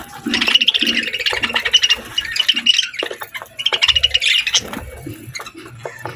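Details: Pet budgerigars at mealtime eating healthy food; two bursts of dense, buzzy warbling chatter made of rapid high chirps, separated by a short pause, with soft pecking and crunching sounds underneath.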